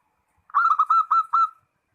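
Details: Zebra dove calling to a rival: a single brisk phrase of five clipped, slightly rising cooing notes, clean and close with no other sounds.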